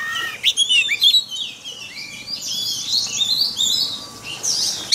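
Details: White-rumped shama singing a forest-style song, played daily as a training recording for caged birds; fairly faint, rapid high whistles and trills in a continuous stream, with a steady background hiss and a low hum.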